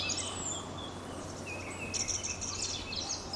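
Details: In Crimea, near Sudak, a song thrush sings from an ash tree at the edge of an old oak wood in spring, marking territory; thin whistled notes, then a burst of bright trilled phrases in the second half, over a low hum.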